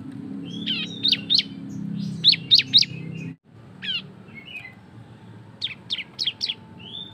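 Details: Cisem singing loudly in the rapid ngebren style, used as a lure to get other birds singing: groups of sharp, steeply falling high chirps, three or four in quick succession, with thin whistles between bursts and a low background hum.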